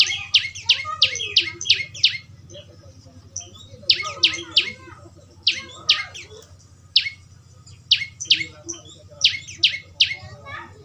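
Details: Rapid bursts of high, piercing chirps from a young prinia, three to six notes per burst, with brief pauses between bursts; a natural recording used to coax another bird into song, with low hum underneath.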